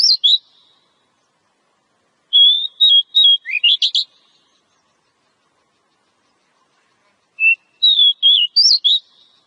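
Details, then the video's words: Oriental magpie-robin in the wild singing as a lure: scattered bursts of rich, varied whistles and sharp twisting notes, phrases spaced several seconds apart with silence between. "Pancingan suara burung kacer alam"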